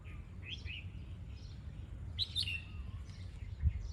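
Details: Red-whiskered bulbul during a song-training session in the lụp style: two short bursts of bright, warbled whistled notes about two seconds apart, rising and falling, over a steady low rumble of background noise.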